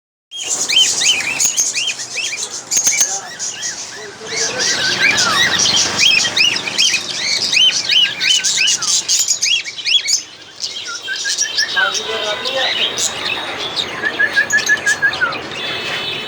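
A group of cockatiels chatters with overlapping whistled, rising and falling chirps.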